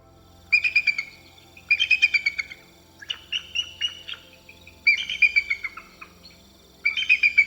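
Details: Bald Eagle (Haliaeetus leucocephalus), seen in aquatic and coastal areas of Canada, giving high, thin chittering series, each a quick run of squeaky piping notes, repeated about every one to two seconds.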